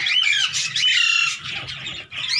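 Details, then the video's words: Hand-tame Indian green ringneck parakeet playing with its handler, giving loud harsh squawks with bright harmonic bands, the first burst about half a second long, then a pause and further rough calls; a low hum runs underneath. "INDIAN GREEN RING NECK HAND TAME"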